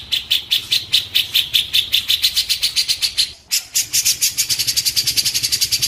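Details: Cililin song offered as tutor material for training white-rumped shamas: a fast series of sharp, chipping notes repeated about two to three times per second, with a short pause and slightly higher notes near the end, over a low hum.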